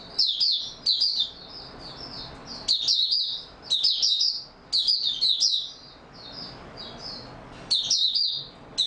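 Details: Caged Oriental white-eye singing in steady form, recorded 28 February 2022: high, thin twittering phrases of rapid chirps, each burst about half a second long, repeated roughly every one to two seconds with softer notes between.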